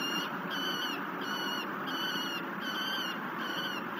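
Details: Nestling peregrine falcon begging as it gets dinner at a cliff nest overlooking the Mississippi near La Crescent, Minnesota, July 2019 evening; a regular series of bright, stacked screeching notes, about six in four seconds, against constant broadband hiss.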